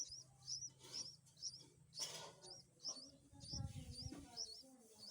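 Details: Baby bulbuls at feeding time give a steady series of sharp, high, slurred squeaks, roughly two per second, over a low steady hum, with a burst of rustling and a soft voice midway.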